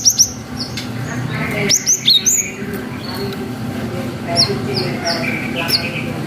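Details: Singing cinereous tit, long 'wucit' variation used to rouse young birds into answering; scattered high whistled notes, a clear phrase of three downslurred whistles, then softer repeated single whistles over low hum.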